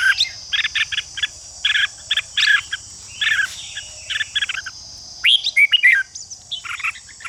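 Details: Red-whiskered bulbul song meant to stir other bulbuls into fighting song: rapid runs of clipped, rasping notes, a pause, then sweeping rising whistles and chattering phrases, with a continuous shrill drone behind.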